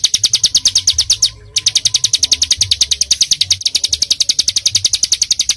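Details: Masteran recording of a small bird with rapat, fully packed song: a long run of sharp, high, rapidly repeated chirps, briefly interrupted once, with a faint low hum beneath.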